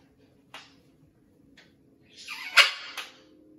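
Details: Blue-and-gold macaw adapting to a new flock at a parrot rescue; two faint clicks, then a loud rasping squawk ending in a sharp snap, over a steady low hum.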